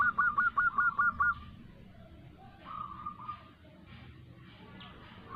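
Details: Lure recording of a female local zebra dove calling a male: a brisk burst of about eight hooked, clipped notes at the start, followed by softer level tones and faint background noise.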